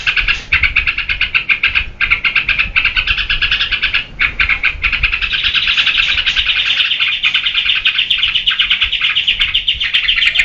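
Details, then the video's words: Energetic yellow-vented bulbul song used to spur and teach other birds. Fast bubbling chatter runs nearly nonstop, with brief breaks early on, then a continuous rolling twitter that rises slightly in pitch. "SUARA TRUCUKAN GACOR UNTUK PANCINGAN DAN MASTERAN"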